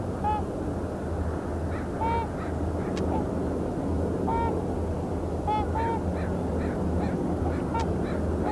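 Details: Trumpeter swans landing in the sea at Iona Beach, Richmond, British Columbia, on 19 March 2019, give loud, nasal, horn-like honks, singly or in quick pairs every second or two, over a steady rumble of surf and wind.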